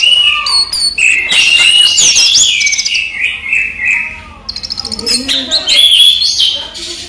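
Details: Orange-headed thrush kept as a songbird, singing during the day. A steady whistled note leads into fast, complex high phrasing, then a rapid ticking trill and more varied whistles.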